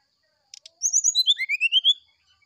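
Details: Morning 'sulingan' flute-style singing of an oriental magpie-robin: two soft clicks, then a quick cascade of high whistles falling in pitch that turns into a rising run of six or seven bright, evenly spaced notes.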